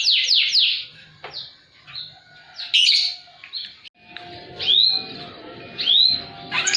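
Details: Canary singing high and low phrases, used as a lure for silent canaries and as a training master: sweeping whistles and short trills broken by pauses, with faint low background noise.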